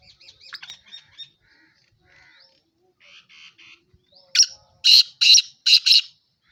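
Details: Black francolin in Sindh, Pakistan, giving a loud, harsh, grating call of four rasping bursts in quick succession, preceded by softer scratchy chirps and faint squeaky notes.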